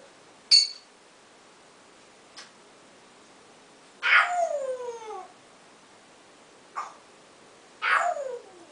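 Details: Male pet African grey parrot indoors, practicing a newly learned "owww" sound: two long, falling, whistled wails, with a sharp click and short squawks in between.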